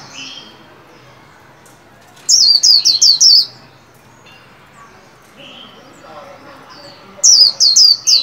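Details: White-eye kept in a cage and coached to sing for the 2021 new year, 'líu' song: two bright bursts of five or six quick, very high, downslurred notes about five seconds apart, with soft high notes between.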